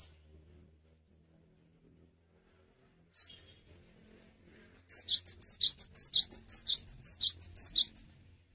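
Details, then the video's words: Cinereous tit singing vigorously (gacor) without hopping: a single high note, then from about five seconds a fast run of sharp, high, dipping two-note phrases repeated roughly twice a second, with no other sounds. "GELATIK BATU GACOR TANPA LOMPAT"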